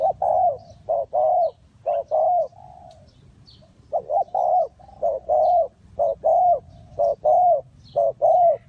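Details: Spotted dove decoy calling for trapping wild doves, Ninh Thuận: a steady run of low hollow coos, short notes alternating with longer bowed ones, about one phrase a second, in quiet surroundings.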